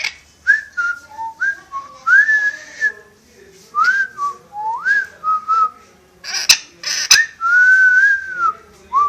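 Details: Pet parrot famed for wolf whistling and whistling tunes, reluctant to perform. Many short whistled notes with swooping rises and falls, two sharp clicks, then a long wavering whistle ending in a short upturned note.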